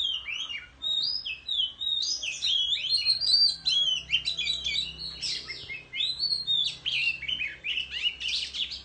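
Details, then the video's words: In the countryside, an Oriental magpie-robin sings competitively with a fanned-tail display, giving a fast, continuous medley of whistled slurs, chips and warbles, loud and varied throughout. "Chích Choè Than Hót Múa Xoè Hót Đấu Tại Vùng Quê"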